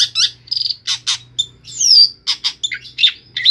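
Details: Long-tailed shrike from Pemalang, Central Java, singing an isian sekebon style song: a fast medley of high chirps, trills and a long descending whistle, with short pauses between phrases and a faint steady low hum behind.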